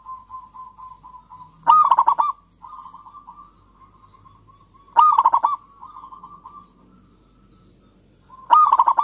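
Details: Local Javanese zebra dove in full song, used as a lure to make lazy or silent doves sing: loud, rapid bubbling coo phrases every three to four seconds, with softer, steady trilled cooing continuing between them.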